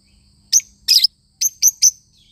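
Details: Lovebird parrot uttering five piercing, high chirps, one of them a longer buzzy note, in a brief, quick sequence.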